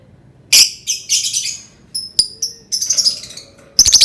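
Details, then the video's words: Lovebird provoking call: sharp high squeaks and thin whistled notes mixed with bursts of harsh, rapid twittering chatter, ending in a loud clipped burst. "Suara burung lovebird pancingan"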